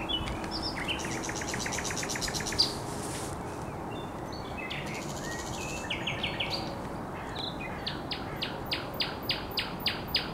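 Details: Common nightingale singing on a headland at the Żerań Canal, 1 May 2021: buzzy rattling phrases and chirps, ending in a run of loud dry clicking notes repeated roughly three times per second, with steady background hum.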